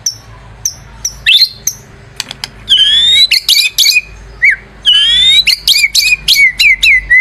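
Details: White-rumped shama song used as a lure: sparse high whistled notes, then bursts of rapid sweeping phrases and buzzy trills alternating with lower downslurred whistles.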